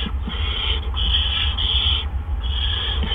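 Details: At a barn owl nest on April 17, 2013, in the evening, as two adults deliver gophers in succession. Longer, almost continuous breathy hisses are broken by brief gaps, and a low hum sits beneath.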